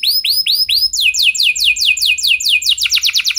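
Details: Domestic canary singing vigorously, used to prompt other canaries into long song: four arched whistled notes, then a string of rapid falling sweeps and a fast trilled ending.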